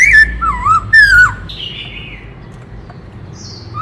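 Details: Forest-type black-throated laughingthrush singing a multi-voiced song. It opens with loud looping whistles lasting about a second, followed by fainter, higher wavering notes and quiet pauses.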